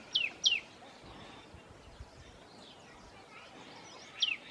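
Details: A tailorbird calling in the Himalayan foothills at Rishikesh gives loud, sharp, high notes slurring steeply downward, two quick ones, then two more after a four-second pause, over faint background hiss.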